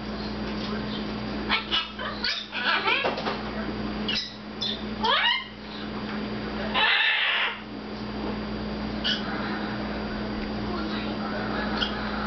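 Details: Captive red-fronted macaw vocalising while having fun with its owner indoors, standing on a cage: scattered sharp squawks and rapid sweeping notes, a burst of harsh broadband noise near the seventh second, then quieter stretches, with a low room hum beneath.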